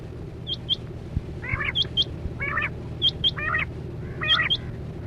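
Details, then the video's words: Lure quail heard on a net hunt: pairs of thin high pips alternate with short, harsh, buzzy chatters, about one burst every second, over a constant low background drone. "Sound Of Chora Quail Batera"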